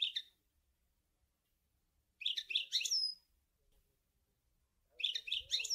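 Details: European goldfinch from Sour El Ghozlane giving short bursts of twittering chirps and a few high slurred notes, spaced by pauses of about two seconds, with faint low thumps.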